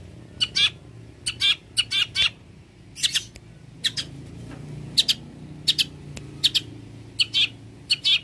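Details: Long-tailed shrike singing richly, a skilled mimic of other birds, used as a tutor for songbirds: short harsh rasping bursts in pairs and triplets, repeated roughly every half second to a second, over faint low hum.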